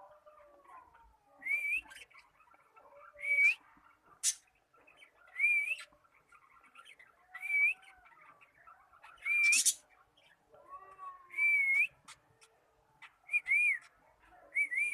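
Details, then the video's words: A cockatiel that is learning to sing repeats a bright up-and-down whistle roughly every two seconds across the whole stretch, with softer lower sliding notes and occasional sharp clicks in between. "Cockatiel learn to sing"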